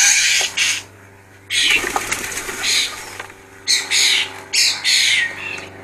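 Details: Jackdaws on a spring afternoon in a cottage garden at Scone by Perth, Perthshire, Scotland. Harsh, noisy bursts of calling come in clusters, with a quiet pause in between, against a faint low hum.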